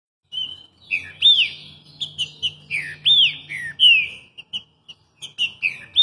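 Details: A green-winged saltator in Rio de Janeiro sings loud, clear whistled phrases with rising and falling slurs, repeated in quick bursts over a faint low hum.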